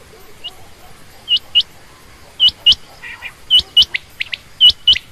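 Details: Female quail calling: bright, sharp doubled chirps, with gaps between groups that grow shorter as the calling becomes more frequent, over a low background hiss.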